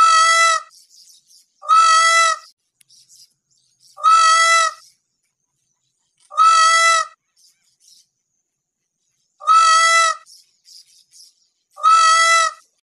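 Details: An Indian peafowl gives six loud, nasal, wailing calls, each under a second long, repeated every two seconds or so, with faint chirps in some gaps.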